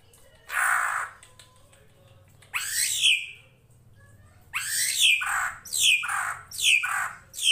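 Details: Drongo (srigunting krantil) master for training songbirds, over flowing water; a lone rough note, then a run of about five grating, falling screeches close together.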